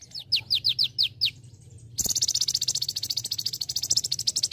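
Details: Olive-backed sunbird, lively konin-style training song with celilin fill for tutoring other birds: six quick downslurred whistles, a brief pause, then a long even high buzzing trill running to the end.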